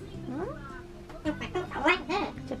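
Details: A pet Ducorps's cockatoo calling to its owner in the morning while waiting for treats gives squeaky, rising-and-falling whistled notes while a person chatters nearby.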